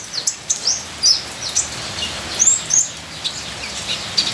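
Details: Ninja sunbird giving short, high, thin chirps at irregular intervals, roughly every second, over a continuous background hiss of rain.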